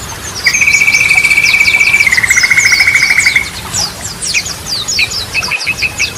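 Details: Yellow-vented bulbul singing actively, a variety of song for luring caged bulbuls that have stopped singing. A long, steady, slightly buzzy trill lasting about three seconds, then lower, over busy high-pitched chirping.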